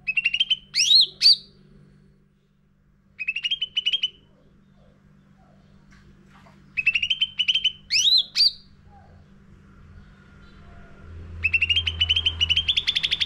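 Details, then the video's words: Sooty-headed bulbul (cucak ranting) lure song for training caged birds: bursts of rapid chattering notes with sharp upward-swept whistles, repeated in phrases separated by pauses, a long trilled rattle near the end. "Pancingan Cucak Ranting Gacor Isian Full"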